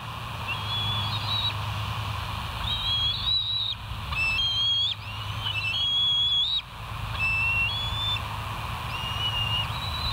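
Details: West End bald eagles on a live nature cam, July 14, 2023, calling almost continuously with high whistled pipings, some notes rising, others level, in irregular runs of a few notes each, over steady background rumble and hiss.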